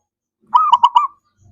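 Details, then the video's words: Zebra dove song played to draw silent doves into singing: one loud, brief phrase of a drawn coo followed by three fast, bubbling pulses. "Pancingan Ampuh!!! Untuk Perkutut BISU 🔇 Malas Bunyi❗"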